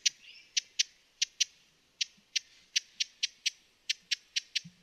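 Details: Spaced, crisp, high chips from a broad-billed hummingbird, irregularly timed and sometimes paired, with a faint soft sound at the start.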